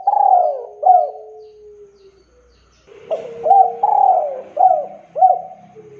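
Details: Male spotted dove calling persistently to lure other doves into calling: two low cooing phrases, each a short coo, a longer falling coo, then clipped notes, with a faint low hum behind the second phrase.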